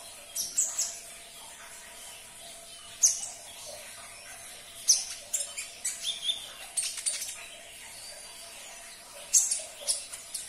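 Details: Sunbird song played to make a caged sunbird sing: spaced bursts of very high, sharp chirps and scratchy twitters, each lasting about a second, separated by short pauses.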